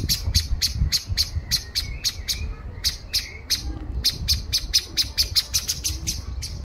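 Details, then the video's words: A common blackbird (Turdus merula) gives a rapid, steady series of sharp, high chinks, about three or four a second, pausing briefly midway, over soft faint whistles and low rumbling. "שחרור מצפצף شحرور صفير A Turdus merula beeping"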